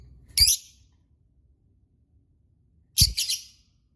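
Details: Lovebird giving two harsh, shrill squawks about two and a half seconds apart, each a burst of screechy noise, with a soft thump at the start of each and quiet between.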